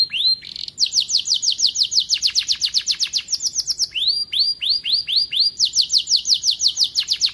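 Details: Young canary starting to sing vigorously, kept in an aviary: rapid high rolling trills of repeated upswept notes, changing to new note types every second or two, with brief pauses between phrases.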